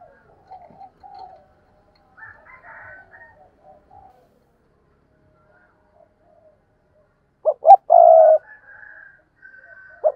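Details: Decoy spotted dove giving urgent 'thúc' and 'gù' cooing: faint, scattered low coos for several seconds, then a loud burst of deep, throaty coos near the end.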